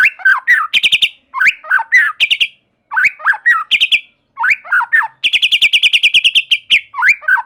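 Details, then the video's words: White-rumped shama singing continuously to spur other shamas to sing: repeated phrases of dipping whistles, each ending in a brief buzzy trill, then a long rapid pulsed trill near the end. "Murai Batu Gacor Super Mantul Murai Lain Otomatis Ikut Bunyi Bos || Voice of Murai Batu"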